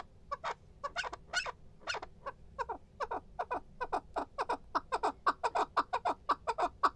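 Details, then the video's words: Chukar partridge calling in a run of short, clucking chuck notes repeated about twice a second, growing denser and louder toward the end, over a faint low background rumble. "keklik sesi"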